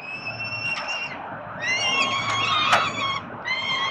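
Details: Nestling peregrine falcons begging from their feeding father in Melbourne, Australia, October 2021; drawn-out, rising squealing cries from several chicks overlap, with a few sharp taps in between.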